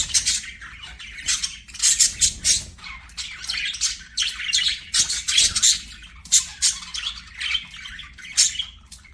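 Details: Budgies singing and playing: lively ongoing chatter of quick high chirps, clicks and squawks in rhythmic bursts, like a busy flock warbling together.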